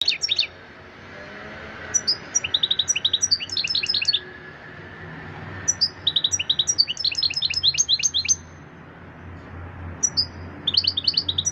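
A European goldfinch sings bright, rapid tinkling phrases of twittering notes and liquid trills, delivered in bursts separated by short pauses.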